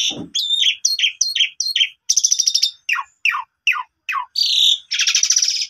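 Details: Asian pied starling singing as a lure for a sulking bird, with a row of repeated slurred chirps, a buzzy rattle, several steeply falling whistles and a closing harsh grating burst.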